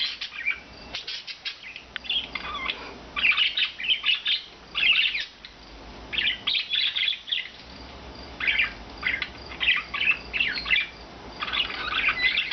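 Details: Four rescued pet budgerigars, one blue, two white and one green, living free indoors all day, give bursts of rapid warbling chatter and squeaky chirps with short pauses between the phrases.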